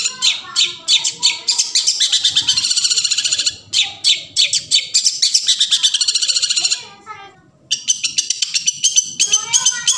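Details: Long-tailed shrike singing in the forest. Rapid harsh notes alternate with long, fast rattling trills, there is a short silence, and then the scratchy chatter resumes.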